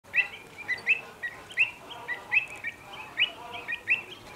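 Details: Agitated pied avocets at WWT Slimbridge, alarmed for their youngsters as common cranes appear beside the lake, give sharp, clear 'kluit' alarm notes, repeated rapidly and overlapping as several call together, with faint background noise.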